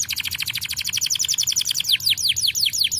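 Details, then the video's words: Canary song used to stimulate other birds to sing: a fast, even trill of short notes for about two seconds, then slower downward-sweeping whistled notes, all very high-pitched. "Quick to stimulate the sound of the canary material"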